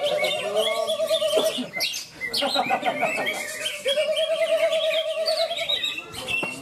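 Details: Greater green leafbird, the winning bird at a singing contest in Malinau, North Kalimantan, Indonesia. It gives a fast buzzy trill held about a second and a half, then varied sharp chirps and whistles, then another long steady trill. Other contest birds sing around it.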